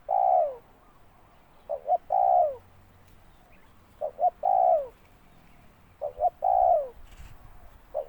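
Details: Spotted dove calling steadily: a pair of short notes, then a sustained falling coo. The phrase recurs about every two seconds, four times in the recording.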